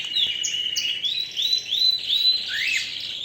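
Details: Canary song built from clear rising whistled slurs repeated about twice a second, then a fuller buzzy trill. The high phrases are bright and ringing, with no other sound.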